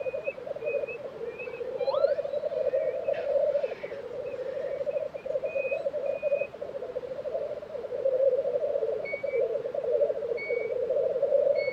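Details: Black grouse at a lek in Tiveden, Sweden, in April 2023: a steady low bubbling, rolling chorus runs throughout, with short thin whistles and a rising note from other birds above it.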